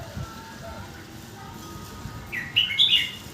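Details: Red-whiskered bulbul song delivered in a quick phrase-linking style; after faint background sounds, a short loud cluster of sharp whistled and warbled notes near the end, against steady hiss.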